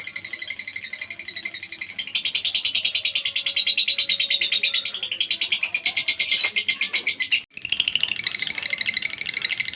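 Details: A caged lovebird's long ngekek, kept as masteran training audio: a thin, quieter start, then a loud, dense stream of rapid, harsh high notes for five seconds, a brief break, and the chattering trill resuming.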